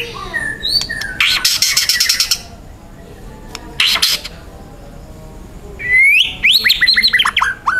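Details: Young wild white-rumped shama giving loud, dense harsh 'tembakan' bursts: long raspy buzzing rattles separated by pauses, then a fast series of rising and falling whistled notes.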